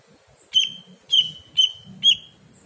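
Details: Greater green leafbird song from a training recording for pet birds: four sharp, clear whistled notes, each with a quick bright flourish, spaced about half a second apart over a faint low background murmur.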